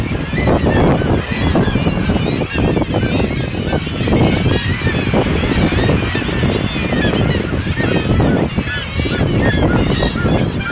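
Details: Seabird gulls crying in a noisy flock, wavering nasal calls stacked and overlapping throughout, set against constant low roar like waves or wind.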